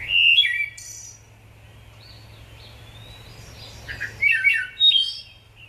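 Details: A Wood Thrush, typical of eastern and central North American woodland, sings clear, flutelike whistled phrases: a loud opening note then a high trill, repeated after a pause with rich ringing notes.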